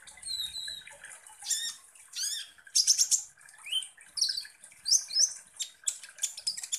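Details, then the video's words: Kolibri ninja sunbird song played as a lure to make other birds emotional. Thin whistled notes, then strong bursts of high rattling chips, a slurred whistle, and quick repeated twittering phrases. "KONIN Langsung EMOSI dan NGOBRA dengan PANCINGAN kolibri ninja GACOR ini"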